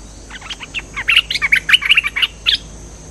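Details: Cream-vented bulbul used as a lure sound, singing actively: a rapid run of short, bubbly chirps and slurred whistled notes, bunched into a lively chattering phrase with a quiet background.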